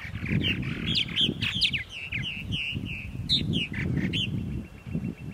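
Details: Purple martins on an April 2012 morning at Center Moriches, Long Island, New York, giving clear rising and falling whistled chirps and gurgles, with low rumbling noise, perhaps wind, throughout.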